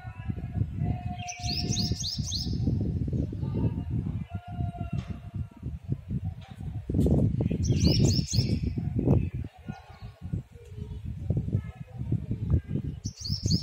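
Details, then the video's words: Sunbird calling: short bursts of rapid, high, rising-and-falling chirps repeated in quick series, heard three times over steady low rumbling background noise. "sunbird sound"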